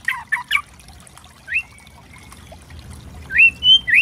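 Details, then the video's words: White-rumped shama tutor song meant to provoke birds: a few rough chips, then long thin whistles and rising slurred notes separated by pauses. "Pancingan murai trotol memancing emosi bunyi gacor variasi kretekan keras murai trotol | bird sing"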